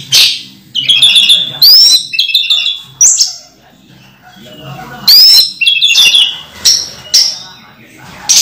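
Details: Orange-headed thrush kept as a pet, singing on during its moult: rapid, varied phrases of ringing whistles and twitters, delivered in loud bursts separated by short pauses.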